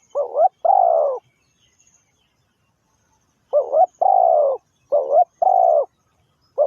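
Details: Decoy spotted dove used to lure wild doves into traps, giving deep mellow coos: a quick doubled coo, then a long, slightly falling croo. The pair repeats after a pause of more than two seconds, and a third phrase begins at the end.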